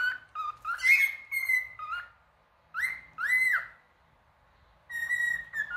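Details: Male cockatiel song: clear whistled phrases with upward-sliding notes, grouped in bursts separated by pauses of about a second.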